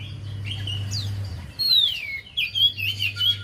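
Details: Javan white-eye singing, a recording used to prompt a reluctant bird to sing: a soft opening twitter, then a loud downslurred whistle and a run of quick warbled notes, with a constant low hum.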